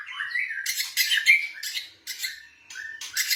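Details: White-rumped shama of the blorok type, kept as a pet, sings to rouse other birds. It opens with a rising whistle, then gives loud raspy chatter bursts separated by short pauses.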